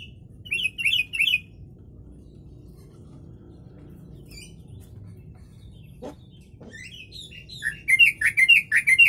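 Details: Yellow-vented bulbul song filled with imitated sooty-headed bulbul (kutilang) phrases, used as tutor song for training birds; short bursts of bubbly, chattering notes at the start, a quiet pause, then a livelier run of rapid warbled phrases.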